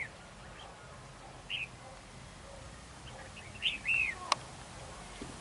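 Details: Red-whiskered bulbul serving as a trap decoy in a territorial fight, uttering scattered short chirps and one clear slurred whistled phrase, with a sharp click near the end.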